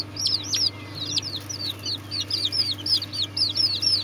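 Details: Serama chicken chicks giving high, thin peeps in quick series, each note a short downward-slurred chirp, over a steady low electrical hum.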